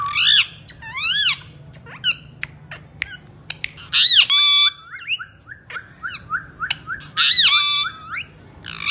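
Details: Talking parrot uttering loud rising squawks, arched harmonic whistles and short chattering notes, with two long harsh screeches around the middle and near the end, over a quiet low hum.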